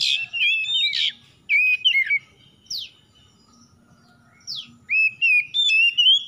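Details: At dawn an oriental magpie-robin (kacer) sings a lure phrase meant to get stressed birds singing: fast, twisting whistled warbles, sharp downward swept notes, then a rising whistled run, with a soft low hum behind.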